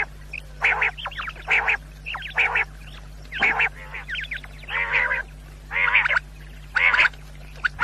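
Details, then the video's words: Quail calls, offered to hunters for night use: strong rasping bursts repeat about once a second, separated by thin upslurred squeaks and clicks, with a low background hum. "1 quail sound Great sound for hunters brothers"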